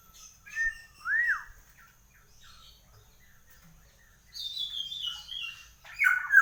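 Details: Kepodang, the black-naped oriole, in full voice: two short notes, then a clear fluty whistle that rises and falls, a long pause, and a burst of higher, thinner chattering notes ending in a louder slurred phrase.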